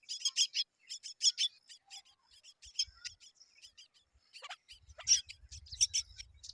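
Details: Myna chicks being fed by both parents; rapid series of high thin buzzy chirps, irregular and continuous, with a few sharp downward squawks midway and faint low rumble near the end.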